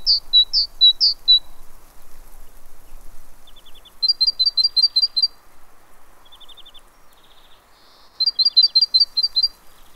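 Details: Great tit at a fat ball feeder in Pellerey, France, 3 March 2017, singing three bursts of clear, high, two-note phrases with pauses between them, plus short faint buzzy trills in the gaps.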